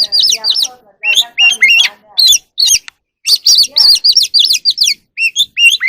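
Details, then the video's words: Oriental magpie-robin, wild, singing and dancing in the evening: steady runs of loud, looping whistles with some harsh, rasping notes, broken by a short pause, then more bright, repeated phrases. "kacer alam | Choè than hót múa buổi chiều tối เสียงนกกางเขนบ้าน"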